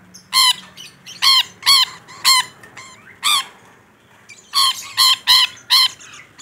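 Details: Rainbow lorikeet in full voice, giving spaced harsh squawks in two bursts, five notes, a gap near four seconds, then four more in quick succession.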